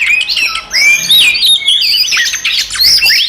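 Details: Fighting song of an Oriental magpie-robin, used to provoke others: bright whistled slurs overlapping with scratchy, buzzy notes, delivered in rapid, intense phrases.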